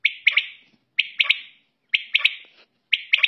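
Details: Quail (batair) calling at night and in the morning, giving a bright three-note phrase, one note then a quick pair, repeated about once a second four times over silence.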